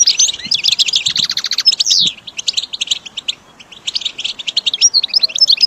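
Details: Training recording of a caged goldfinch: bursts of fast high twittering and buzzy trills, a short quiet lull midway, then renewed chirping phrases.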